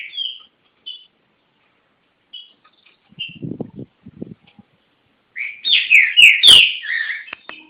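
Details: Caged green-winged saltator from Garça, São Paulo, Brazil: short whistled notes and a pause with low background noise, then a loud burst of rich, slurred whistled phrases with sharp clicks.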